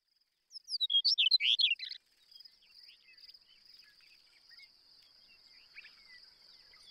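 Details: Chestnut-collared longspur, a declining migrant of shortgrass prairie, singing one sweet, tumbling warbled phrase of descending slurred notes lasting about one and a half seconds, followed by a steady high insect buzz and faint distant bird notes.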